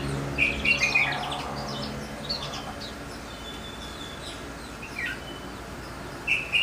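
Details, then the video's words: Goldfinch mule in song: bursts of bright, ringing chirps at the start and end, separated by softer twitters and a thin drawn-out note, with low hum in the background. "Goldfinch mule"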